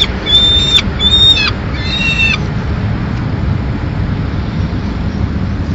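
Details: Peregrine falcon chicks in Madrid on 19 May 2016, fed a pigeon by the female; three short, thin, whining calls in the first two and a half seconds, then only low background rumble.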